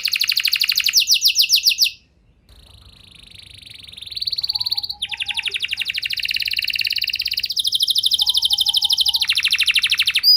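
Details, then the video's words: Canary song meant to set other canaries singing: fast trill, a short silence, a long steady buzzy tone, then extended rapid pulsing trills with a faint low chatter beneath. "Bakal Terpancing Jadi gacor Panjang Burung Kenari Lain Segala Kondisi! Ikut Gacor Pasti Ngeplong"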